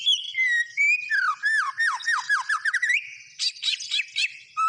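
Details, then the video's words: White-rumped shama song of clear whistles gliding down, a run of repeated downward-slurred notes, then harsh buzzy bursts and a final whistle. "SUARA BURUNG MURAI BATU GACOR"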